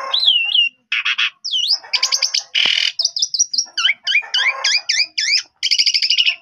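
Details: Asian pied starling singing a varied, lively song meant to draw replies from other starlings, mixing clear looping whistles, chattering runs, a harsh rasp and quick repeated V-shaped notes.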